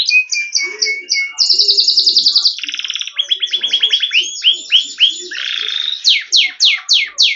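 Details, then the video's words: Yellow canary in full song. It moves through a run of rapid rolling trills, each a different tour: fast buzzy rattles, lower pulsed series and sharp high sweeping notes, with barely any pause between phrases. Faint low chirps sit underneath. "Canary Bird Sound | Yellow Kanari Sound | Canary Bird Song"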